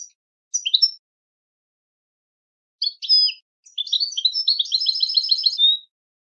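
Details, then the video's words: European goldfinch singing for song training of captive birds: two short chirps, a pause, then a rapid run of high twittering notes ending in a dense trill; quiet background. "goldfinch singing training your goldfinch to sing on command"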